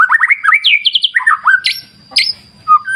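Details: White-rumped shama song set in a wild clear-river nature ambience: rapid rising whistled notes, a fast descending trill, then a slurred whistle and a sharp high burst, over a faint steady high whine and soft low rustling.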